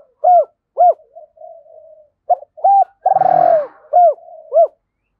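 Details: Decoy spotted dove, stimulated to start cooing quickly: short arched hooting notes alternating with a long, loud, slightly falling coo, with soft murmuring coos between phrases.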